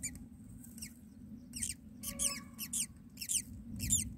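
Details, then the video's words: Myna chicks in a nest where the mother feeds them: a run of high, scratchy squeaks with falling tails, repeated roughly twice a second and growing busier, over a constant low hum. "myna feeding baby"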